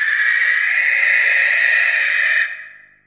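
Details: Barn owl (Tyto alba) giving a long, harsh hissing screech, a steady rasping noise held for about two and a half seconds before it cuts off and fades.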